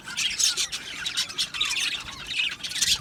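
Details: Budgies chirping in an aviary colony, with short bright squawks and chirps in uneven bursts over a softer background chatter of many birds.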